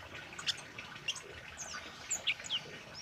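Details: Singing orange-headed thrush in energetic full voice, used as a training recording for caged birds: quick, high, sharp chirps and thin whistled slides tumbling over one another in an uneven stream.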